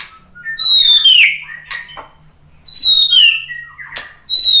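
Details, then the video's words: White-rumped shama song used as a lure: clear descending whistles sliding from high to lower pitch, repeated about every two and a half seconds with short clicks between. "SUARA MURAI BATU Untuk Memancing EMOSI JADI NYAUT GACOR"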